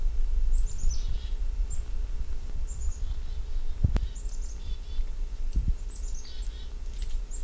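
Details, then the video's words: A chickadee gives several high, thin notes followed by lower buzzy ones, repeated a few times, over steady low wind rumble and a couple of dull knocks. "soundscape chickadee"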